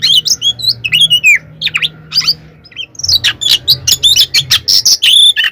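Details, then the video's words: White-rumped shama giving a fighting song used to provoke other shamas: a fast, varied string of whistled, sweeping and chirping phrases with a brief pause, over a low steady hum. "SUARA BURUNG kacer gacor NGEPLONG tarung KONSLET ini AMPUH buat PANCINGAN KACER agar EMOSI NYAUT"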